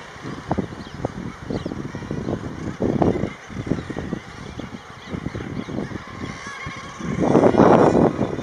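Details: Common guillemot breeding colony with chicks at Elegug Stacks, Pembrokeshire. Low, harsh growling calls overlap in short pulses and swell into a loud chorus near the end over a steady background hiss.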